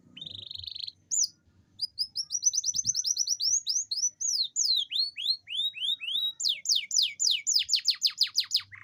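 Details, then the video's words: Canary rolling song to stimulate lazy singers: a buzzy opening note, then long series of rapid rising and falling whistled notes at roughly three per second, shifting into steep downward sweeps. "Pancingan kenari gacor ngerol panjang dan pancingan kenari malas bunyi pasti"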